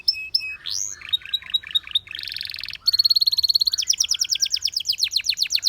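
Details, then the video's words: Belgian canary singing, with many canaries drawn in: short chirps and a buzzy rattle, followed by a fast steady trill and rapid repeated sweeping notes. "The sound of This Belgian Canary Attracted Many Canaries to Sing"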